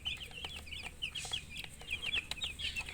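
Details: Baby chicks chirping as a group: dense, overlapping high peeps, many falling or downslurred, packed closely throughout with soft background hiss.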